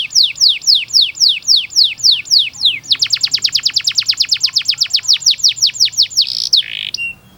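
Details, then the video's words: Canary tutor song for young birds: falling whistled notes about three per second, then a quicker string of sharp notes, ending in a buzzy slur. "MASTERAN KENARI UNTUK SI PAUD"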